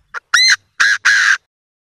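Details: Chinese francolin calling back and forth with another; a short quiet lead-in note followed by three strident, raspy syllables in quick succession, the final one drawn out, in otherwise quiet surroundings.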